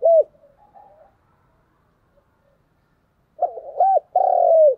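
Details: Spotted dove giving cu gù đấu, the Vietnamese fighting coo aimed at rivals: one short hooked coo, soft faint notes, a pause, then a stuttered burst, an arched coo and a long falling final note.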